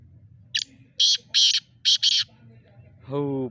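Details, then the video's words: Black francolin, a speeder kala teetar from Bhiria City; a short clipped note followed by four loud, harsh, grating bursts in quick succession, then a man's voice begins. "Speeder Kala Teetar (01) 2022 || Black Tittar Bhiria City"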